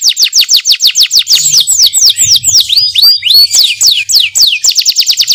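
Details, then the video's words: Canary song of quick descending chirps repeated several times a second, shifting into varied swooping and rising whistles, then back to rapid falling notes. "KENARI GACOR NGEROL NEMBAK | CANARY SINGING"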